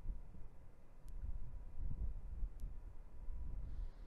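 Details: Low rumbling hum and wind buffeting dominate, with two sharp faint clicks and no animal voice.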